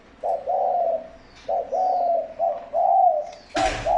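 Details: Loud mellow spotted dove coos, used as a lure for wild doves, come in paired hooting notes with brief gaps. A sharp knock or clatter breaks in near the end.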